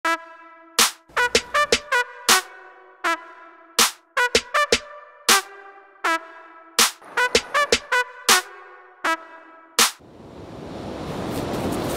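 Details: Electronic music with sharp, pitched sampled hits in an uneven beat, ending in a wash of broad noise; no animal sound.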